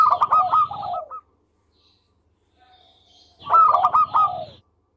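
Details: Melodious local zebra dove: two loud bursts of rapid staccato cooing, each about a second long, separated by near silence.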